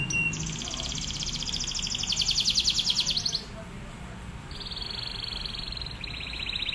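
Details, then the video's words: Atlantic canary performing a training song for other canaries: a long, loud, high rattling trill, a brief pause, then further trilled phrases at a slightly lower pitch. "KENARI GACOR//TEMBAKANNYA NGEBREN... MASTERAN BURUNG KENARI"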